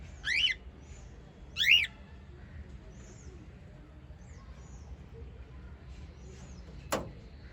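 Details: White lovebirds kept as pets give two quick, harsh chirps close together at the start. Then comes a long quiet stretch with faint distant calls and a sharp click near the end.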